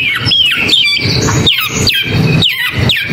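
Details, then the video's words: A Long-tailed shrike gives a short series of sharp downslurred squawking notes, about one every half second, each dropping steeply in pitch, with rustling noise between them. "Gacorin Cendet Gak Pake Ribet"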